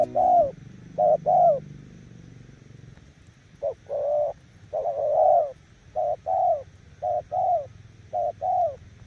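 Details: Spotted dove cooing with a strong, full voice: low, hollow coo notes given in short bursts of two or three, the phrases repeated with brief pauses over several seconds against a quiet background.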